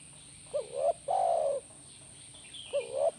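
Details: Tekukur (spotted dove) cooing to provoke a reply: one full phrase of a brief wavering note and a long smooth low hoot, then the opening note of the next phrase, with a faint high chirp between them.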